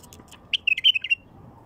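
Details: Wild bulbul song for attracting wild bulbuls: one brief, bright burst of quick warbled and chirping notes in the middle, with near silence before and after.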